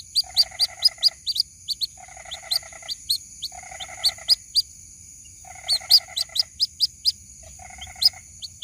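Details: Young white-breasted waterhen calling for its mother, a lure recording: sharp high peeps repeated in uneven runs, with separate bursts of lower, rapidly pulsed buzzy notes about once a second; faint low background noise.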